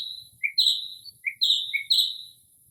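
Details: Late-night Northern mockingbird in early spring mimicking other birds, giving bright high downward-sweeping notes alternating with lower short phrases, the quiet night otherwise nearly silent.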